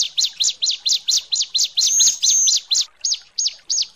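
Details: A female bar-winged prinia calls the male with a rapid, steady series of high, sharp chirps, about three or four a second, with two longer thin whistles in the middle.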